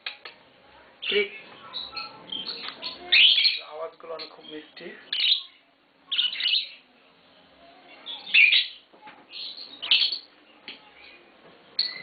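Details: Pair of green Fischer's lovebirds kept at home; sparse bursts of piercing chirps and squeaks a few seconds apart, with quieter scratchy chatter between them.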